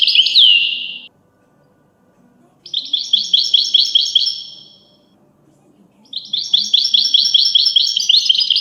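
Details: European goldfinch singing high, tinkling phrases: a sweeping note opens, then two long bursts of fast, evenly repeated twittering notes separated by pauses of silence.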